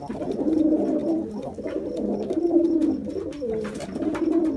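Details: Jacobin pigeon coos: a soft, guttural rolling sound repeated about every two seconds, layered with further murmuring coos and faint clicks.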